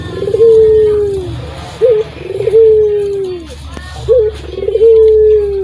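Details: Singing Barbary dove, local Indonesian type with a thick, very sweet voice, used as a lure to get silent doves singing. Three cycles of a quick rising chirp leading into a long, even, slightly falling purred coo, repeated every two seconds.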